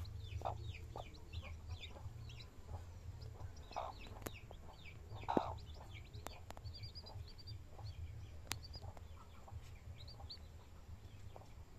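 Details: Hen with her chicks: several low, short hen clucks spaced a few seconds apart over continuous thin chick peeping, with occasional sharp clicks and a low background rumble.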